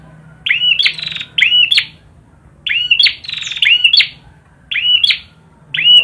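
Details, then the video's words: Prinia (perjak) in lively song: paired and single phrases of rasping buzzes and down-curving whistles with sharp clicks, delivered in quick bursts with short pauses. "burung perjak gacor"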